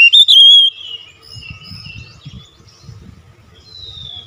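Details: Oriental magpie-robin giving a short loud whistled phrase with quick pitch jumps, followed by faint high slurred notes and low background rumble, used as a lure to start birds singing.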